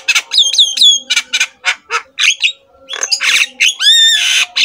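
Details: Javan myna training song for lazy mynas: repeated falling whistled notes, harsh squawks, and a long loud buzzy call ending with a bright whistle.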